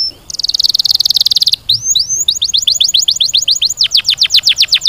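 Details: Singing canary: a fast rattling trill first, followed by upslurred whistles and a quick run of downward-sweeping notes that gradually spread apart.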